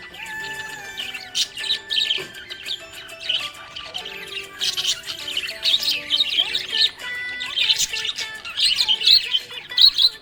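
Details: A happy budgie keeps up rapid, raspy chirping and twittering in uneven bursts, growing busier toward the end, mixed with clearly audible background music with sustained notes.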